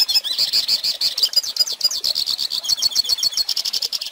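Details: Hooded Siskin singing, a recording meant for teaching young birds to sing: a fast, continuous high twittering of rapid chirps and trills, with bright notes repeated several times a second throughout.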